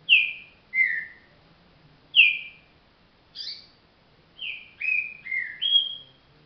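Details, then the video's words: Green-winged saltator, a bird said to be still slow in its singing, giving clear whistled notes between about 2 and 4 thousand cycles, each sliding down then leveling, in two separated phrases ending with a quicker run of four stepped whistles. "trinca virador"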